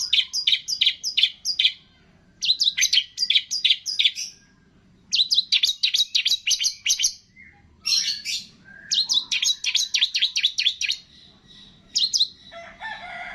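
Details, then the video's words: A long-tailed shrike delivers a mimicry-rich training song with cililin, greja tarung, lovebird, tengkek and kapas tembak imitations. Bursts of rapid, high, scratchy notes come in groups separated by brief pauses, and a buzzy harsh phrase closes it. "MASTERAN CENDET ISIAN CILILIN, GREJA TARUNG, LOVE BIRD, TENGKEK, KAPAS TEMBAK"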